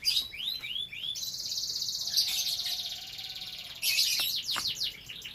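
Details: Captive canary from a breeding setup, singing with a few rising whistled slurs, then a long fast buzzy trill. A brief drop follows before another bright rolling trill and quick chirps.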